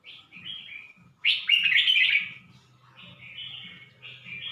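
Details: Red-whiskered bulbul at Suan Phueng, Ratchaburi, Thailand: bright, bubbly whistled phrases, one loud rich burst followed by quieter rolling warbles repeated at a quick, uneven pace, with a low hum underneath.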